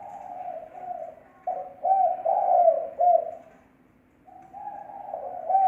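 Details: Spotted dove giving a lure call (thổ mồi), a clean recording: low, mellow cooing phrases of several soft notes that swell and fade, with a brief pause before a final phrase. No other sounds.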